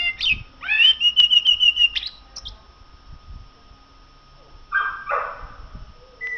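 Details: Common blackbird singing: a sharp high note, then a clear whistle held as a fast rapid trill for about a second. After a pause, a lower slurred fluty phrase follows.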